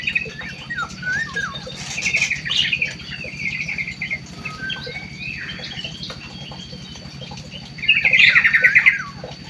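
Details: Munia singing: a run of high, thin chirps and short twittering phrases, with a louder burst of rapid chattering near the end over a low, steady mechanical hum and a faint constant tone.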